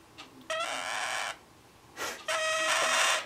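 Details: Male pet scarlet-chested parakeet, a month younger than his mate who sits beside him, crying while being coaxed to step up; two harsh, buzzy, drawn-out cries of about a second each over a hiss of room noise.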